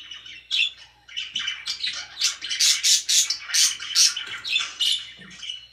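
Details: Indoor pet budgies calling loudly, a rapid string of harsh squawks and bright chirps, more than two per second at the peak, with warbling chatter and a faint hum.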